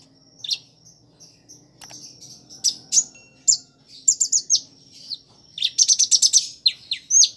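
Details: Energetic Van Hasselt's sunbird song containing imitations of prinia, sparrow and chick calls; thin, piercing high chirps scattered at first, then a fast stuttering cluster of notes toward the end.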